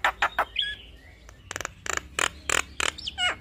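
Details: Javan myna singing as a training tutor for starlings: three quick rasping notes, a thin whistle, then a series of harsh buzzy bursts about every third of a second, closing with a falling whistle.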